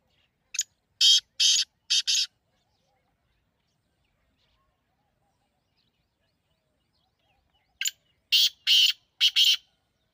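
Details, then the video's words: Partridge, natural call: two bursts of harsh, broadband notes in groups of three to four, the first just after the start and the second near the end, separated by about six seconds of silence. "تیتر کی ایسی آواز جو آپ نے پہلے کبھی نہیں سنی ہوگی"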